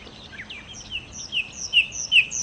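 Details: Sikatan londo, the nightingale, in song: a series of clear high whistled notes repeated roughly every 0.4 seconds, growing louder toward the end.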